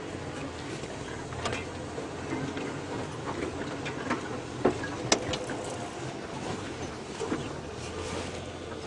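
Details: Scattered ticking clicks sound over a steady outdoor rumble, with no animal voice.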